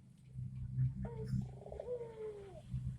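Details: Barbary dove, tame and calling freely. A low, mellow coo gives a brief first note, then a rolling, purring middle that slides into a long, gently falling tone, over steady low-pitched background hum.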